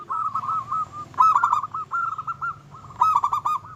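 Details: Singing local zebra dove, its song said to rile opponents and raise their mating urge: repeated phrases of fast, stuttering coos, three louder bursts spaced about a second apart, over faint low-pitched background noise.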